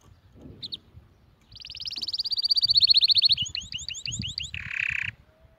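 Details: Canary singing, used to teach young birds and stimulate mating between males and females. A long fast high roll swells and fades into repeated down-curving whistles and a buzzy burst. Low rumbling thumps sound in the background.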